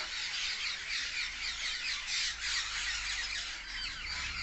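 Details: Parrots gathered as a flock in a tree, giving natural loud chirping: a dense, continuous wall of harsh, overlapping squawks and shrill chirps from many birds at once, with no pauses.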